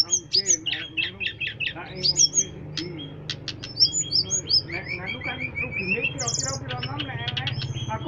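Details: Striated grassbird delivering a dense, rapid song of repeated sharp high chips, brief whistles and buzzy trills. Phrases come in quick bursts over a constant low background hum.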